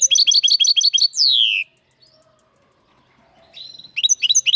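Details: Linnet x canary hybrid: a quick series of sharp repeated chirps capped by a long downslurred whistle, a pause of near silence, then another burst of rapid twittering notes.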